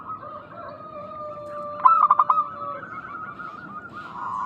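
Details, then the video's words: Local zebra dove in Indonesia, from a lure meant to make other doves answer. One burst of quick, pulsed coos sounds over a steady high tone and a lower held note. "Pancingan burung perkutut lokal gacor suara mengundang bunyi langsung nyaut"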